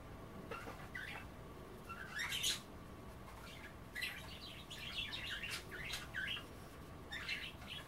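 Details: Pet budgerigars nibbling kale and water during an offered bath: intermittent soft warbling chatter, rising squeaky notes and chirps in loose bursts, with steady indoor hum beneath.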